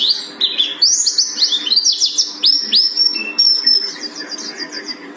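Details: Gunung Karang pleci buxtoni, a mountain white-eye, singing high sweeping upslurred notes and short trills in a fast, flowing run, softening toward the end.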